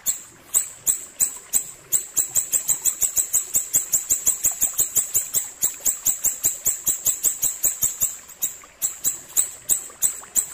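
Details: Tutor recording of an ashy tailorbird's clear song: a long, rapid series of sharp, high-pitched ticks, close to four a second, with one brief break near the end.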